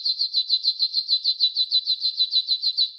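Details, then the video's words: Training song by a yellow golden canary: an even, rapid pulsed trill of high chirping notes, about six per second, held throughout. "Yellow GOLDEN Canary 12h Training Song"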